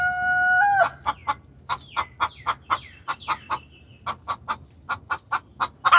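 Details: Distressed hen calling for the rooster. A steady tonal note opens, followed by evenly spaced clucks and a few thin, falling squeaky notes, with a squawk at the very end.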